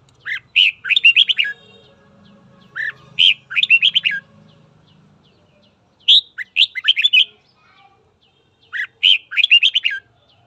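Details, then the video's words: Morning song of a red-whiskered bulbul, trained to provoke fighting: quick phrases of rising and falling whistled notes repeat about every three seconds, each phrase a tight cluster of five or six chirps, faint low hum between. "Luyện giọng chào mào hót sáng kích bổi đấu"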